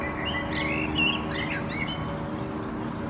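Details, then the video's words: Male Common Blackbird perched on a dead branch in Helsinki, Finland, April 2024, singing: a short phrase of warbled, fluty notes near the start, followed by thin higher twittering, over a steady low background hum. "Blackbird perching on a dead branch, singing"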